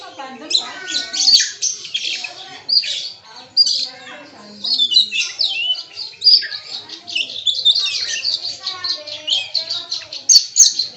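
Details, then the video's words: Kacer, or Oriental magpie-robin, in 'bongkar isian' style, pouring out learned imitations; a dense, continuous stream of shrill chirps, rapid trills and scratchy notes, with other bird voices mixed in. "Suara Burung KACER bongkar ISIAN"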